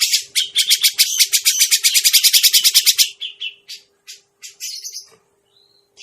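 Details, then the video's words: Grey-cheeked bulbul lure call used to attract birds: a fast, harsh chattering burst of about three seconds, then scattered squeaky notes, over a faint steady low hum. "suara pikat burung cucak jenggot"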